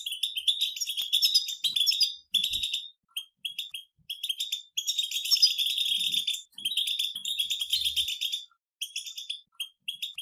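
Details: Several European goldfinches twitter together in batbata style. Long runs of rapid, high, metallic chirps and buzzy trills are broken by short silences, with a faint low thump near the start.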